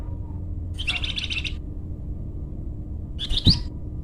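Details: Flamboyan bird in energetic song, used for luring or training: a buzzy rattling high chirp phrase, silence, then a short sharp double chirp.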